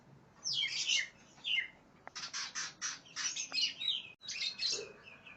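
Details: Greater green leafbird singing in an aggressive, opponent-seeking state: varied slurred whistles, then a rapid run of harsh scratchy notes, a brief break, then more mixed whistles and rasps.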